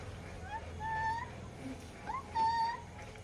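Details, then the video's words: Pet Alexandrine parrot trying ice cream for the first time utters several drawn, tonal notes that rise then level off, in two groups about a second apart, over a quiet room background. "Alexandrine parrot natural sound/ voice/"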